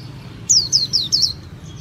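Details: Brief burst of four high, rapidly falling whistles from a Japanese white-eye, each note slurring downward, over a quiet low hum.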